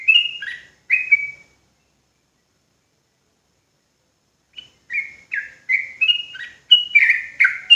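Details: Sooty-headed bulbul of the Javanese trucuk type giving ropel song: two loud whistled bursts, a silence of about three seconds, then a quickening series of slurred and level whistles roughly once per second.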